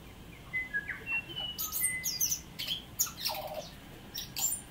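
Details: New Zealand tui singing thin high whistles that step between pitches, followed by crackling rasps, clicks and a short descending wheeze.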